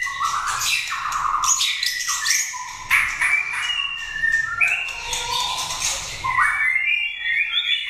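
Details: White-rumped shama, a prize-winning competition bird from an 80-cage contest, singing a rich, varied run of whistled phrases. The phrases rise and fall with scratchy, harsh notes mixed in, over a low background rumble.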